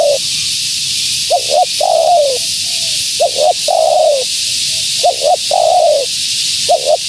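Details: Cooing of a female spotted dove meant to attract wild ones: paired short notes leading into a longer downward-sliding coo, several phrases in quick succession, with a continuous hissing background.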